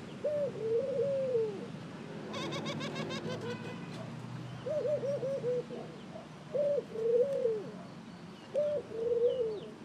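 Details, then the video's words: Ring-necked dove giving repeated cooing calls, each a brief note then a drawn-out wavering coo, one phrase a stuttering run of quick coos. A short burst of flapping wings interrupts early on, with faint background birds. "Ring neck Dove Calling"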